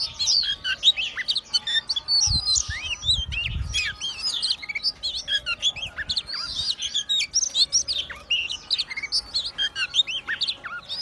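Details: Kacer, the White-rumped shama, in full song, fanning its tail and swaying as it sings: dense runs of sweet whistles, quick slurred phrases and chattering notes for eleven seconds, with a brief low thump in the background.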